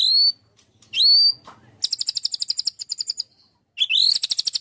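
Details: Murai batu, the white-rumped shama, in lively 'tembakan' song: two clear rising whistles, then fast strings of staccato notes and a final rising whistle leading into more rapid pips.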